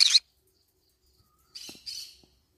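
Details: Green-cheeked conure eating banana leaves: a sharp chirp, a pause, then two grating buzzy notes in quick succession.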